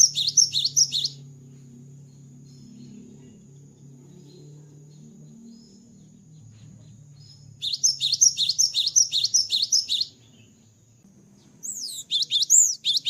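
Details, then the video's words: Cinereous tit in full song after the moult, delivering three separate bursts of rapid, high, ringing double notes with long quiet gaps between them, over a soft low hum. "GELATIK BATU GACOR ‼️ KICAU GELATIK BATU SETELAH MABUNG"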